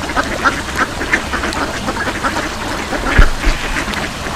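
A duck quacks in a quick series of short, nasal calls, roughly three a second, over a steady low rumble with a brief thump near the end.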